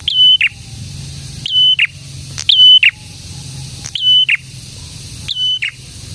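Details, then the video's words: Prinia (prenjak tamu or prenjak merah) in full song, repeating a short phrase about five times: a quick upslur, a sustained piercing whistle, then a buzzy lower ending, with faint low background hum. "BURUNG PRENJAK GACOR"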